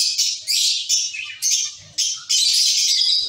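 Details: Zebra finches kept as a caged colony give loud nasal squawking chirps in bursts about every half second, merging into a longer run of buzzy calls at the close.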